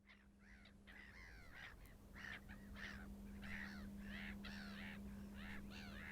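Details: Short-eared owl in Iceland giving harsh, nasal barking notes, about three per second, irregularly spaced and growing louder, over a steady low hum.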